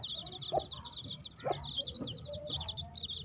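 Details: Baby chicks in a dense chorus of high, rapid peeping chirps that overlap continuously, each short and slightly down-slurred, with a few lower, soft clucking notes breaking in now and then.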